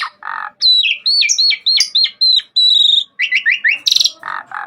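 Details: Asian pied starling singing a lively 'gacor' song for a master recording: rapid series of high bending whistles, buzzy slurred notes, then a harsh rattling burst and low husky notes at the end.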